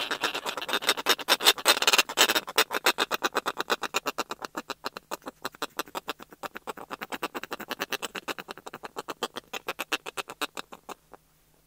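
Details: Close-up calls and courtship calls from a snow petrel at the nest, first a single bird then a pair: a long run of harsh, rapid clicking chatter, denser and louder at first, then slowing into evenly spaced rattling pulses.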